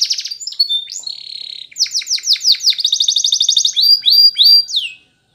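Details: Spanish Timbrado canary song for training: trills and whistled glides give way to fast descending chirps, a bright rolling trill, and three upslurred whistles before silence.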